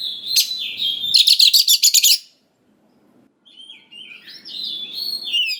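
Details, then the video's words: Oriental magpie-robin song played to provoke young forest birds into replying. A bright whistled phrase leads into a fast, harsh, evenly pulsed chatter, then silence, then warbled whistles rising and falling. "Pancingan Suara Dasar Kacer Gacor Cocok Sekali Untuk Pendongkrak Emosi Kacer Muda Hutan Agar Nyaut"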